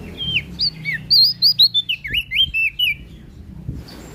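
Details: Prinia from West Nusa Tenggara in lively full song: a quick run of bright, sweet, twisting whistled notes, high and sliding up and down, about a dozen bursts in three seconds, with low background rumble.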